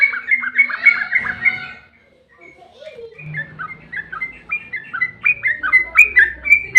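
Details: Yellow-vented bulbul, long chattering song used to stimulate other bulbuls to sing: a dense, bubbly run of notes, a short lull, then another rapid series of slurred whistles building in loudness, with low background hum.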